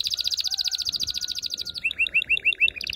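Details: Canary singing to excite and prepare a female for mating: a fast bright trill of repeated high syllables, then a slower series of rolling upslurred notes, returning to the rapid trill.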